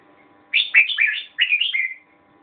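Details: Red-whiskered bulbul singing two rapid phrases of bright, chattering whistles, each about half a second long, back to back.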